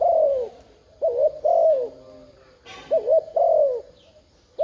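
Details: Decoy spotted dove luring wild doves with mellow coos, a long falling note then two phrases of a short warbled note and sliding coo, a brief click partway through.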